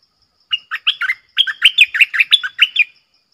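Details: A red-whiskered bulbul sings a bright, clear 'double' song for luring: two short note groups, then a longer run of about ten quick, tuneful, rolling chirps.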